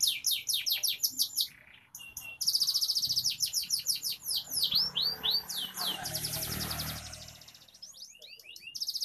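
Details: Lively F2 canary song for crowd therapy, quick high chips giving way to long rolls of rapid sweeping notes about three to four per second, with faint low background noise.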